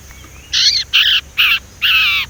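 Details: A young Sumatran leafbird practising its whistle, used as a lure for other leafbirds. Four loud, rasping harmonic notes come at even spacing, each roughly a quarter second long.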